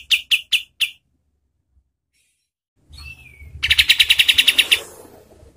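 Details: Kapas tembak singing, a training song for contest birds: four separate sharp chirps, a pause of near silence, a short falling whistle, then a quick rattling run of bright notes over a faint low background hum.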